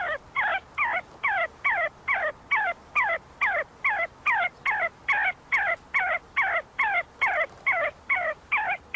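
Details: A group of see-see partridges feeding and squabbling inside Sulaimani University grounds in Kurdistan give loud, clipped, downslurred whistled notes repeated evenly about twice a second, with a slightly harsh edge.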